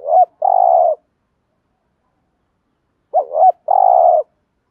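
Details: Spotted dove, a voice said to attract male doves: two mellow phrases about three seconds apart, each a rising double hoot then a sustained burry coo, with silence between.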